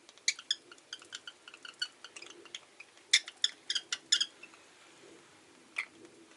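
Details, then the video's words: A rosy-faced lovebird chirps in a quick run of short, bright, clipped notes that cluster into a burst midway and then fade out, with a low steady hum underneath. "Lovebird Chirping Sounds"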